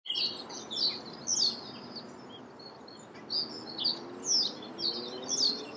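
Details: Reed bunting of the nominate subspecies, Emberiza schoeniclus schoeniclus, recorded in May 2014 at Bourgoyen, Belgium: short high chirps and sharp notes in loose bursts, about two a second, over a steady low background hum.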